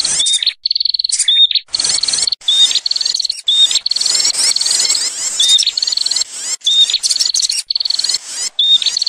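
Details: Bar-winged prinia lure call calling loudly and without pause: high, buzzy chattering bursts broken by clear, thin whistled notes, repeated roughly every second.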